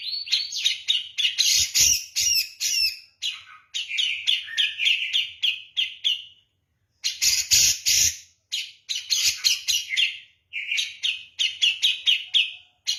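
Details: Grey-cheeked bulbul, Javan type, singing persistently in 'kapas tembak' style: rapid runs of clipped whistled notes and harsh buzzy bursts, split by short pauses, including a full second of silence midway.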